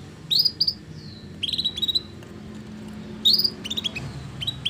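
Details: Vigorously singing canary, offered as a lure for canaries reluctant to sing: short bright chirps in quick clusters, with one soft falling whistle, the clusters coming about every second against a quiet low hum.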